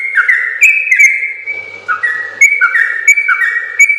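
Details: Sooty-headed bulbul in full long-phrased song for training other birds: a bubbly series of bright whistled notes sliding downward, then rising again, each attack marked by a crisp click, with a short lull in the middle.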